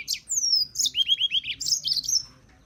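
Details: Continuous high serin song, a rapid jangling run of thin whistles and a series of short, repeated downslurred chirps, bright and glassy, lasting under three seconds.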